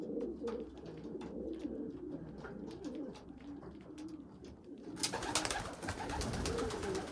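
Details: A weak small young pigeon feeding larger, well-developed young pigeons; low warbling squeaks repeat steadily for five seconds, then loud flapping and scuffling with further squeaks.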